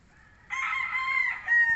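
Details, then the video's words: A hen gives a loud, drawn-out, rather nasal call that holds steady for over a second, then steps up briefly before cutting off. "Roll Call Ng Mga Inahin"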